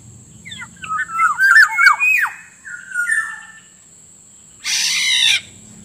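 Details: Black-naped Oriole lure sound for drawing in wild orioles: a quick run of rich, liquid whistled notes sliding up and down, a pause, then a short harsh nasal squawk. A constant high tone hums underneath.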